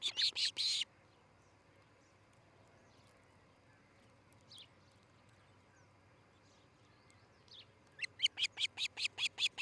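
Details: Osprey nest in Charlo, Montana, 13 July 2018, early morning: a brief burst of harsh high chirps, a long quiet stretch, then a quickening run of sharp whistled notes about three per second.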